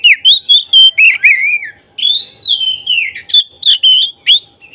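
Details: Kacer dada hitam, the black-breasted oriental magpie-robin, in vigorous song used to provoke emotion and tail-opening. Bright, pure whistles repeated in quick pulses, with some longer slurred notes gliding downward.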